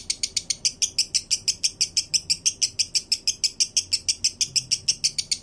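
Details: Breeding male lovebird, a trigger recording for other males: clean, steady train of sharp, high chirps, about three per second, evenly spaced and very regular, with nothing else audible.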